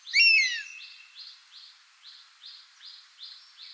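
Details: Buzzard, a bird of prey, calling in its natural habitat: a loud, slurred, downward-sweeping cry, followed by a steady series of soft, buzzy insect-like pulses repeating about every half second.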